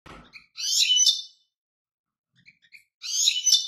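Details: European goldfinch singing: two bursts of bright, high twittering and tinkling notes, the second about two seconds after the first, with a few soft chips between them.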